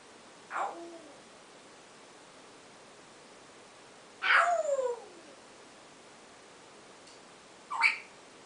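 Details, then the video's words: Captive male African grey parrot practising a newly learned "owww" sound, first heard around 4:30 in the morning; three drawn-out, downward-sliding wails, each under a second, spaced a few seconds apart in a quiet room. "African Grey practicing new owww sound"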